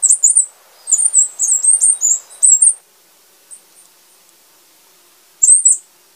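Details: Song of a Wrenthrush from the Panama and Costa Rica range: a dense run of shrill, very high twittering notes for nearly three seconds, a short pause with one faint note, then a final brief high squeaky phrase.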